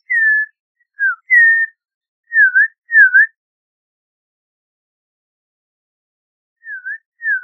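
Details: Audubon's oriole singing slow, sweet whistled notes near one pitch: a drawn-out falling whistle, a short lower note, then paired dipping whistles, a long pause and two more dipping notes, with no other sounds.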